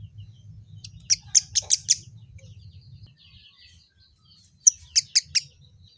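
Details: Kemade calling in short runs of four or five sharp, high clipped notes, a pause between the two runs, over a low steady hum.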